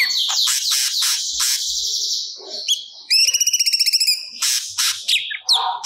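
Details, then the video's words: Singing crested jay (cucak cungkok), recorded as training audio for songbirds: dense harsh chattering that gives way to a fast, even rattle of about one and a half seconds, then scratchy notes and whistles. "Burung Cucak Cungkok Gacor Muntahkan Materi Yang Di Simpan"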